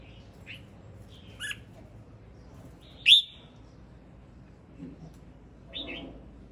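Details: Male red-whiskered bulbul singing: scattered short whistled and chirping notes, one loud sweeping note standing out midway, with quieter phrases before and after and soft low sounds in the background.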